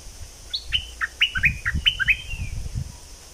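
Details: Thick-billed flowerpecker from southern Thailand, lure recording: a string of about eight short, bright notes dropping sharply in pitch, ending in a drawn-out falling whistle, over soft low hum.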